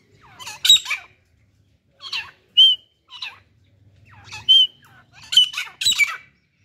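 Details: Pair of partridges, male and female, with a hunting decoy hen, giving scattered harsh chirps mixed with several sharp, clear whistled notes at irregular intervals, with a faint low rumble beneath.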